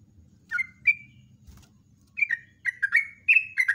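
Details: Scattered single whistles from a yellow-vented bulbul build into a fast gurgling run of slurred notes. It is a morning 'ropel' song used as a lure, with a low rumbling hum underneath.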